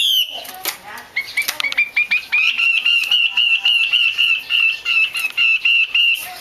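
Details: Female Chinese hwamei calling 'te' to prompt males into song: after a few scattered chips, a steady, quickening chatter of short sharp notes holds one high pitch for several seconds.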